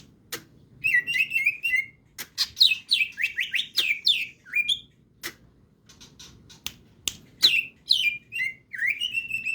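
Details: Greater green leafbird with raised crest singing energetically in ngetrok style, pouring out fast, shrill, downslurred whistles and chattering trills in rapid bursts, punctuated by sharp clicks and short pauses.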